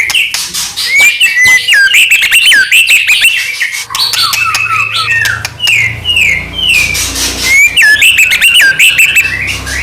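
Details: White-rumped shama in constant full song, used as a lure to provoke other shamas into singing and agitation; loud, varied whistled phrases with sharp upswept and looping notes, clicks and rapid chattering bursts, with a faint low hum beneath.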